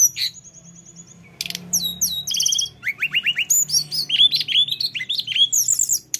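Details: Lesser shortwing (tledekan gunung) in a rolling 'ngeroll' song: a fast, high, buzzy trill, then a dense, nonstop run of sharp chirps, sweeping whistles and short trills for about five seconds, over a faint low hum.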